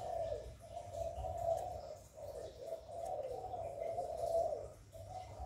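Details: Spotted dove giving 'hạp bổi' style coos, used to get newly kept doves singing. Steady, soft, hollow coo phrases follow each other with brief dips, over a low background rumble.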